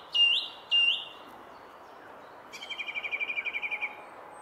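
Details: Singing song thrush at the Henry Moore sculpture: two loud, emphatic whistled notes, a pause, then a fast rattling series of about fifteen short repeated notes.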